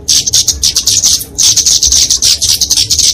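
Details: Flowerpecker fighting song for training and luring small songbirds, heard as two long runs of shrill, high-pitched twittering notes broken by a short pause near the middle.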